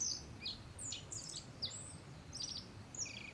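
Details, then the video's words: Wild black-faced bunting perched about 3 m away at Settsu Gorge, northern Osaka, Japan: a close, quick run of thin, very high chirps and short buzzy trills, some notes sliding downward, over a soft low rumble. "アオジ(Black-faced bunting)の鳴き声"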